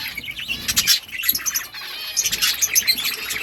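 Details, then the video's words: Budgerigars in a breeding colony giving dense, overlapping high chirps and warbled twitters, busy and continuous with quick bursts and short squeaks throughout. "Budgies parrot chirping sounds parakeet sounds"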